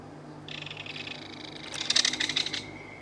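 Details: Belted kingfisher at its nest in a mud bank, feeding its baby fish: a dry, buzzy rattling chatter that builds in loudness and speed, ending after about two seconds.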